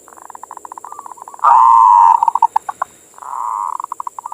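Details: Zebra dove (perkutut) cooing song, used as a lure to stir other doves to sing: a long sustained trill, a loud quavering coo, then rapid pulsed notes and another rolling trill, with a constant high electronic hum.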